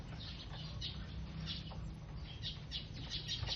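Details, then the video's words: Feeding sparrows making a busy stream of brief, high tweets that come in loose clusters, over a continuous low-pitched background rumble and occasional fluttering. "They make some noise/ sparrows eating"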